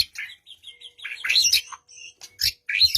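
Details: White-rumped shama singing to prompt a silent bird into song: quick bright whistled notes and short trills, then louder chattering bursts and clicks between brief pauses.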